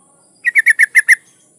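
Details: Yellow-vented bulbul, a breeding female calling a male: a single fast string of six rich, bubbling notes lasting under a second, with a faint steady high whine.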